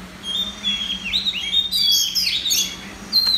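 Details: Red-whiskered bulbul in a singing contest in central Vietnam, giving bright, rapid warbling whistles that slide up and down in a continuous phrase, with a steady low hum behind.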